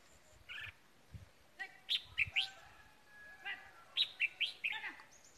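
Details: Red-whiskered bulbul decoy bird around Tết, delivering two bright phrases of three to four rapid whistled notes, mixed with softer chirps, a low thump and faint other birds.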